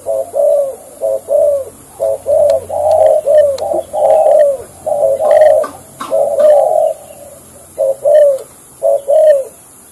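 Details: A captive Spotted Dove kept as a trapping decoy, its form said to be erratic, gives soft, low, hollow coos in steady runs, about one note a second, with faint chirps and clicks in the background.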